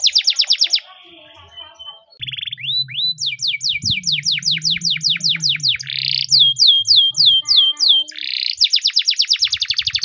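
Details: Spanish Timbrado canary sings a training song: fast rattling notes, a brief buzzy pause, then runs of rapid high downslurred chips at several pitch levels, with a low hum underneath.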